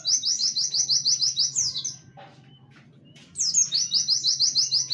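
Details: Warbling white-eye in fast 'tembakan wit wit kenari' song, a model for training songbirds: two bursts of rapid, high, sharply repeated chips, each closing with a falling slur, separated by a quiet gap of about a second.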